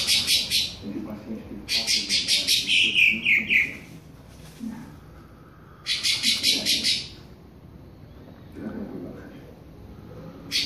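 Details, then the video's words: Pale-breasted thrush warming up its classic song: bursts of rapid, bright high notes repeated in clusters, one run sliding down into a lower descending phrase, separated by pauses of low background noise. "SABIÁ POCA ESQUENTANDO CANTO CLÁSSICO"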